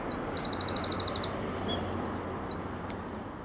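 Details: Eurasian wren singing on an allotment plot at the end of April 2021: a fast, high, even trill of about a dozen notes, with other thin high chirps scattered around it over a steady outdoor hiss.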